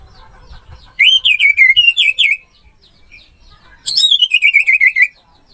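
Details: Orange-headed thrush (anis merah) song from a masteran training recording: two loud whistled phrases of quick wavering, trill-like notes, the first starting after a second of near silence and the second following a short pause.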